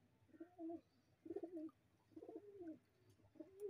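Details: A fantail pigeon (Columba livia) gives four low, throaty coos, each a short rolling phrase with a falling end, repeated about once a second in a quiet room.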